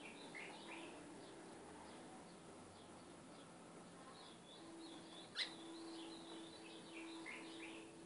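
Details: Ultramarine grosbeak song, played as a tutor for a caged seedeater in training: short whistled phrases open and close the stretch, with a steady low hum and faint background noise between them.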